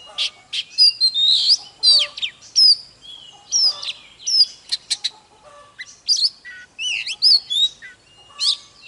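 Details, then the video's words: Oriental magpie-robin singing and dancing, nonstop and varied: bright whistled phrases, rising and falling slurs and short high chirps come in quick bursts about every half second. "Chòe than HÓT MÚA || KÍCH LỬA || Kích chòe than hót căng"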